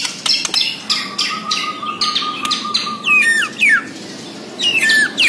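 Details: White-rumped shama of the Borneo form in full song: a sustained steady whistled tone held for about two seconds over sharp clicking and rattling notes, then several loud falling slurred whistles.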